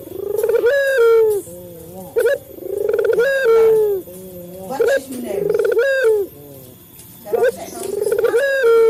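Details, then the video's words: Lure calls of a male local Barbary dove, meant to train captive doves to call sooner. Repeated phrases roughly every two and a half seconds, each a rolled, swelling coo sliding downward, broken by brief clipped notes. "Suara burung puter jantan | melatih burung puter lokal cepat bunyi | pancingan burung puter"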